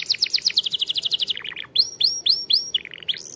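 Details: Canary song for training young birds: a rapid trill of descending notes, a short buzzy dip, then clear rising whistles spaced evenly and a final quick flourish.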